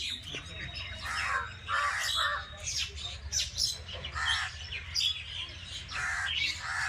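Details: A village bird chorus of overlapping sharp chirps and harsher squawking, caw-like notes, with many birds calling at once and steady low background hum.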